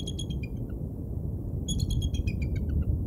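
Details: Bald eagles at the Decorah North nest, recorded by a live nature cam on 29 August 2022 at 23:38; two bursts of high, thin chattering piping notes in quick descending series, over a steady low rumbling background.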